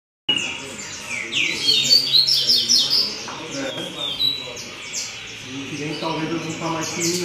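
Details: Double-collared seedeater singing a strong song in the Tui Tui Zel Zel style: rapid high twittering notes and quick downward sweeps in fast irregular bursts after an abrupt start, with human speech murmuring underneath.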